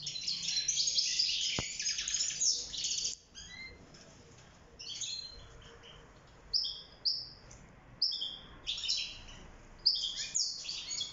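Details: Caged wild European goldfinch singing for mating and nest building: a dense burst of twittering, then spaced, sharp, rising chirps repeated roughly every half second, with a single click near the start.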